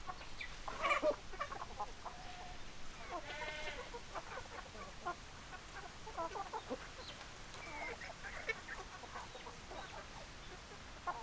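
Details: Hens clucking in a noisy farmyard, with scattered short clucks throughout and a drawn-out, harmonic rooster-like call around the middle, against a constant hiss of background noise.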